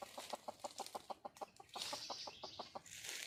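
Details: Wild red junglefowl hen calling for a male: a fast run of about seventeen short, low clucks, several per second, over a loud high insect buzz.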